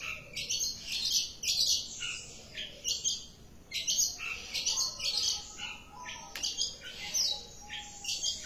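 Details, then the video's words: Long-tailed shrike in varied, chattering song: scratchy, squeaky phrases mixed with harsh buzzes and high chirps, delivered in irregular bursts. "cendet gacor manteb banget"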